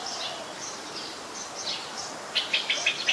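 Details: Streak-eared Bulbul in Ubon Ratchathani, Thailand, 20 January 2021: faint high chirps at first, then a quick run of about six clipped, sharp notes near the end, above steady background hiss.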